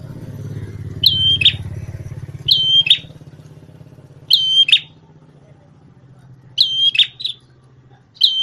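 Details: Champion red-headed prenjak tamu prinia, once used to train shamas, sends out short high whistled phrases with buzzy endings, five or six in a row. A motorcycle or vehicle rumbles underneath in the first half.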